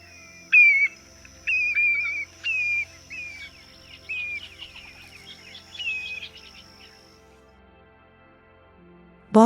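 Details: A Black-bellied Plover (Pluvialis squatarola) gives clear, plaintive slurred whistles, about one a second, then a looser jumble of calls, over a faint steady high hum.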